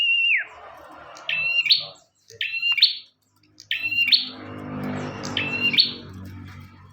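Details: Bar-winged prinia singing lively for a master recording. A descending whistle opens, then four buzzy rising phrases topped by sharp chips arrive about a second apart, with rustling background noise in the second half.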